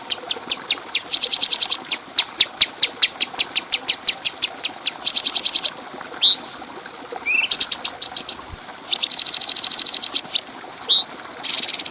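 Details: Bulbul song used as a training recording for other songbirds, clear and clean: rapid series of sharp high chirps, buzzy metallic trills, and a few short rising whistles, in bursts separated by brief pauses, with faint insect-like background hiss.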